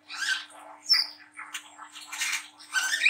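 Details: Young Brown-throated Sunbird with spotted plumage, chattering harshly in 'ngriwik' style, a recording for prompting young birds to sing. Scratchy twittering bursts with a thin high whistle, fading and swelling again.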